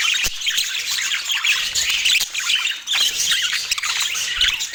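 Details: Budgies in Portland keep up busy, high-pitched chirping and scratchy squawks, with a few sharper clicks standing out from the constant overlapping warble.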